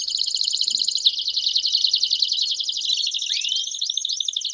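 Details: Belgian canaries singing as a group to stimulate singing; continuous high buzzy trill, followed by a few looping rising whistles near the end.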